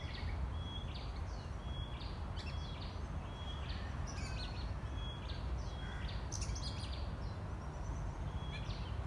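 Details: Oriental magpie-robin; juvenile subsong; young bird practising and learning its song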